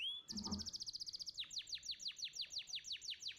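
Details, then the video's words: Canary master song used to tutor young canaries: a quick high trill followed by a steady series of descending whistled sweeps, repeated roughly three times a second. "Pancingan Kenari Muda Cepat Bunyi & Ngeriwik – Masteran Kenari Juara Gantangan"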